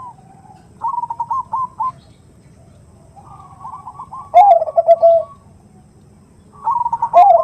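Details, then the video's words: Perkutut female's 'nutut' call to attract a male, a lure sound: softly stuttered trill phrases alternating with loud, deep, bubbling coos, about three phrase groups, pauses of roughly a second between. "Suara Khas Pancingan Suara Khung Suara Besar"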